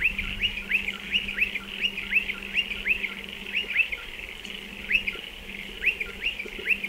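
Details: Nesting in burrows in a dry stone wall, striated pardalotes give loud, clear, high chirps that sweep upward, mostly in two-note groups repeated briskly and steadily, over a gentle low hum.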